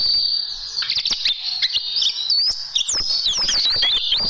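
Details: White-eye tutoring recording for caged birds, with 'tembakan' bursts: a steady high thin whistle under scattered chips, building into rapid twittering slurs in the second half.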